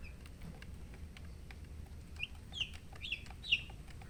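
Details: Chicken chicks peeping: after a quiet opening, four bright, high, slurred chirps follow about half a second apart, over a soft steady hum.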